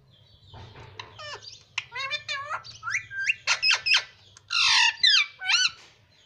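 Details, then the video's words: Pet parrot kept indoors, said to speak mummy and papa, gives a quick series of sharp, harmonic squawks and rising chirps, growing louder and ending in a harsh burst of calls. "मम्मी - पापा बोलने वाला तोता"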